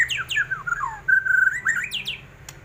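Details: White-rumped shama, a kept songbird described as ready to fight at any time, singing loud, varied whistled phrases: sweeping downslurred notes, a sustained level whistle, then rising and falling slurs, with a low hum underneath.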